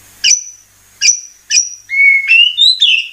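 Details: Murai batu (white-rumped shama) heard in a lure recording: three separate high sharp whistled notes spaced under a second apart, followed by rising and falling clear whistled phrases.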